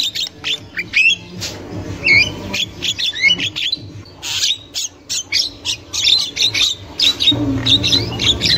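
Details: Female Javan myna chatter from the wild, played to draw young mynas: short scratchy bursts and curling whistles in irregular groups of two or three, harsh clicks between, faint low hum in the background.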